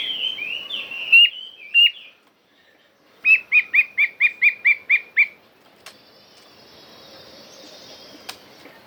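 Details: Chinese hwamei in wild forest-style song. Slurred whistles open, then after a short silence come about eight loud, evenly spaced ringing notes roughly every quarter second, then quieter trailing sound with a click.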